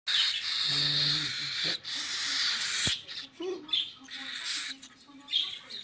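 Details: Hungry hand-fed baby cockatiel chicks give harsh, raspy, hissing begging calls in rapid, uneven bursts while waiting to be fed.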